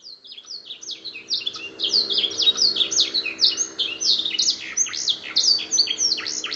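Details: Caged canary, a former singing-competition champion, delivering song learned from the black-throat: a dense, continuous stream of rapid high chirps and downslurred whistled notes, bright and rhythmic throughout, no other sounds noticeable.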